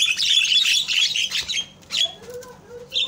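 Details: Javan myna call played to provoke other mynas into calling: a dense run of harsh, grating chatter, then a single sharp squawk and a few softer short notes.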